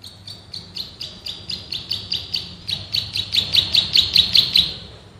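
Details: Male bar-winged prinia (ciblek sawah) singing for a bird-training master: quick repeated high chirps grow steadily louder and fuller across the run, then fade at the end.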